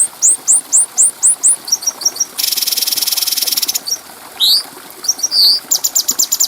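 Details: Stripe-throated bulbul (cucak cungkok) training song for tutoring other birds: a string of high downslurred notes, a long harsh buzzing burst, then upward-sweeping whistles and rapid chips.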